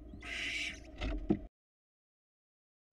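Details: At a Florida barn owl nest box where the male has delivered a rat, one drawn-out raspy hiss is followed by a shorter rough burst, then quiet.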